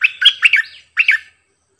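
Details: Caged decoy sooty-headed bulbul singing two short bubbly, warbled phrases. Each phrase is a quick run of rich, chuckling notes, followed by a brief pause.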